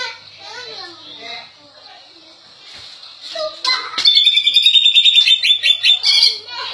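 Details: A greater green leafbird from Indonesia opens with lower, wavering warbled phrases, then bursts into a rapid, ringing series of high repeated notes with a few sharp clicks.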